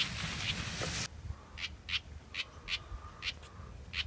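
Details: Big short-tailed house wren chick raised in a home backyard: a loud rustling burst first, then a string of short rasping notes at an uneven quick pace, with a faint steady tone behind.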